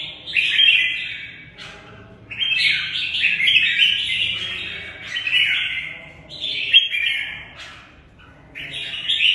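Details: Red-whiskered bulbul in a cage giving its fighting song, bright warbling phrases in three-second bursts, sliding notes dropping then rising again, with quiet pauses between bursts.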